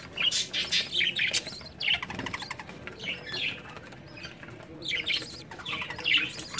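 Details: Budgerigars kept for breeding, recorded as summer begins, utter intermittent sharp chirps and brief scratchy warbles, with quieter stretches between, a few louder clusters near the start and end, and low background noise.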